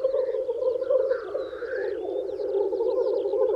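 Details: Spring lek of male black grouse courting females: dense, pulsing low bubbling with a drawn-out rising hoarse hiss in the middle, plus scattered high twitters of songbirds.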